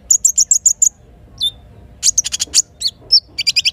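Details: Little spiderhunter in the morning beside a river in forest: six evenly spaced high chips, a pause, a single falling whistle, then a dense cluster of sharp notes and quick slurs; faint low background rumble.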